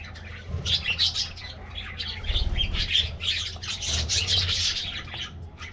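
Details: Budgerigars chatter continuously while getting a morning treat, a bright twittering warble of many short squeaky notes from several birds, with faint low rumbling beneath.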